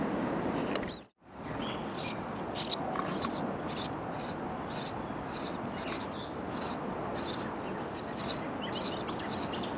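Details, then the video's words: Hungry sparrow chicks in a nest box chirp loudly for food; a brief dropout, then a long, regular series of high, scratchy chirps, about one every half second. "Feeding Hungry Baby Sparrow Birds In A Bird House Nest"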